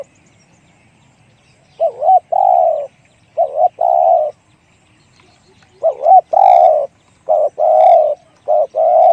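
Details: Spotted dove giving loud, deep-voiced cooing phrases: a quick wavering double note followed by a longer steady coo, the pattern repeated several times with short pauses, with no other sounds.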